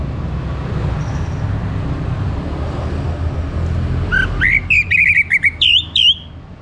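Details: An orange-headed thrush sings in the morning to coax other birds into song: after four seconds of steady low rumble, a rising whistle opens a fast run of bright, looping warbled notes.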